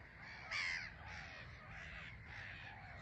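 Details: Black-headed gulls on a crowded island at Frampton Marsh; one loud, harsh, slightly falling cry stands out early, followed by softer overlapping calls from the rest of the colony.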